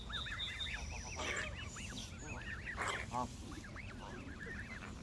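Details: A flock of Canada geese honking together: dense, overlapping arched calls, each rising then falling, pouring out continuously over a low background rumble with a few sharper clicks.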